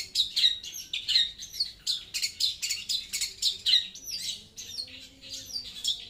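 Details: Long-tailed shrike song, described as loud and clear: a fast, busy run of harsh, scratchy bursts mixed with sharp whistled notes, about three to four per second, continuing without pause through the clip. No other sounds stand out.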